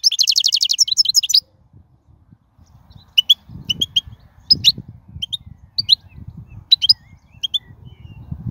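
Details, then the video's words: Wild goldfinch song meant for tutoring young birds: a brief dense burst of rapid twittering opens, then scattered thin chips over low rumbling background noise. "من أقوى اغاني | طائر الحسون | البرية"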